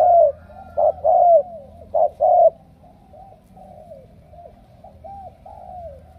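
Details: Spotted dove from Ca Mau, a field-caught bird chosen for strong cooing, delivering loud soft-toned coos for the first two and a half seconds, then quieter trailing coo notes fading into a low background hum.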